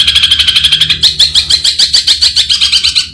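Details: Long-tailed shrike song: a fast run of high, clipped notes, about a dozen a second, shifting into rougher, more varied chattering pulses, with no other sounds standing out.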